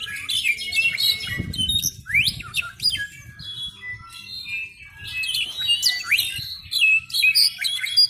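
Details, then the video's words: A juvenile Brown-backed Solitaire (Myadestes unicolor) practising its song: a rambling, varied string of high whistles, chirps and squeaky slurred notes, with a brief low thump partway through. "Canto variado de Clarín juvenil"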